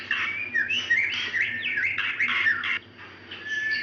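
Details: White-rumped shama female calling to a male, used to lure males that are slow to sing: dense run of clear whistles and short slurred notes, broken by a brief pause near the end, over a faint constant hum.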